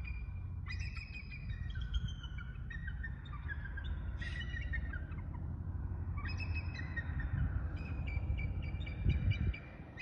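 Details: Bald Eagles calling out to one another as they fly over, trading thin, high chittering calls in two bursts, a stuttering series of piping notes falling in pitch, over a steady low rumble of wind.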